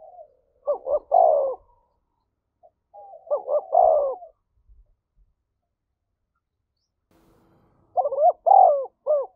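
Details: Spotted dove giving fight-provoking coos: three phrases of short paired coos ending in a longer falling note, separated by pauses, with a few faint low knocks.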